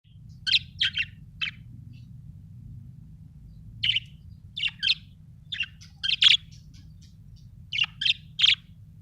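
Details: Happy budgerigar chirping: clusters of short, bright, high chirps in bursts of two or three, with pauses between groups and a low hum underneath.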